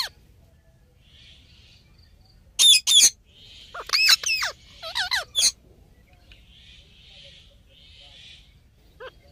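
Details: Talking Indian ringneck parakeet: quiet stretches broken by two sharp squawks, then a run of wavering, speech-like syllables with bending pitch, and a last faint note near the end.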